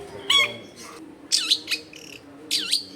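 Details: Long-tailed shrike song used to lure wild shrikes, a few loud whistled notes with steep falling-then-rising sweeps separated by short pauses, over faint background noise.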